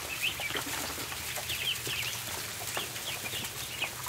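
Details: Barn floor at feeding time, where numerous ducklings give repeated short, high peeps in quick overlapping bursts, accompanied by constant soft clicks and scuffling of feet.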